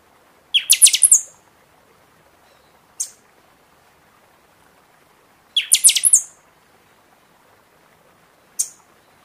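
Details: Seedeater song played to spur caged birds after the feather moult: twice a quick burst of five or six very high, sharp whistled strokes, each burst followed by a lone thin high chip a couple of seconds later.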